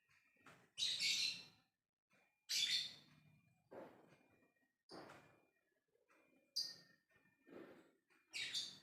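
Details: Lovebird ngekek calling to its companions: loud, rasping, shrill bursts alternate with lower, softer chattering notes, about seven calls in nine seconds, irregularly spaced.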